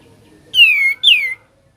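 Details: Sooty-headed bulbul, ngebren-style singing: a pair of loud, clear whistles, each sweeping downward and rich in overtones, the second starting higher, with near silence around them.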